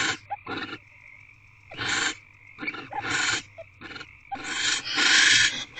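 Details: At a nest box shortly after midnight in early February 2024, with a newly hatched chick inside, a barn owl gives rasping broadband hisses and screeches, five or six bursts of varying length, the last one long, over a constant low hum.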